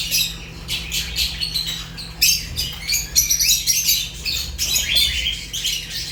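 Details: Fischer's lovebirds chirping in short, clipped bursts of high shrill notes, broken by brief pauses, the chatter growing busier toward the end.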